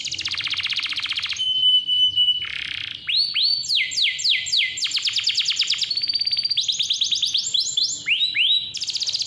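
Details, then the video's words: Loud, clear canary song intended as a lure for young or non-singing canaries: buzzy rolls and a steady whistled tone, then long runs of repeated curved whistled notes, several per second. "KICAU KENARI GACOR SUARA JERNIH COCOK BUAT PANCINGAN || PANCINGAN KENARI"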